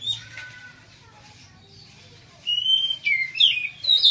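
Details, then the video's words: Kept Oriental magpie-robin, fully recovered from severe cataracts in both eyes, singing freely again. After a quiet stretch, bright whistled notes and quick sweeping phrases burst out near the end over faint low background noise. "Kacer ngeplong"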